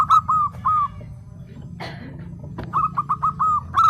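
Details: Zebra dove (perkutut), local Indonesian bird said to answer other birds' calls, sings soft, mid-pitched hooting coos: two notes, a pause, then a quick rolling run of five, over a low background rumble.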